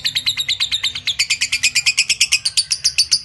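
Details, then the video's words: A lovebird keeps up its ngekek song, a steady, hurried string of sharp high chirps, roughly seven per second, unbroken for over three seconds. "Love Bird Ngekek"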